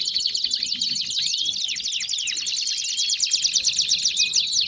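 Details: Belgian canaries pour out a dense, high twittering song, rapid chirps and sliding whistles overlapping without a break.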